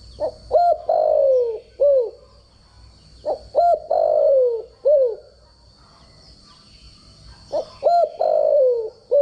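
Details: Decoy spotted dove cooing in the standard voice used to train doves each day. Three repeated phrases, each with quick hooked notes, a drawn-out descending coo, then a short closing note, separated by pauses of a few seconds. A thin background whine is present.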